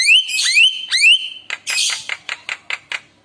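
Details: Lure song of a chatty Javan myna full of isian phrases, to set other mynas singing: three ringing upslurred whistles, then a run of short harsh rasps at a quick uneven pace.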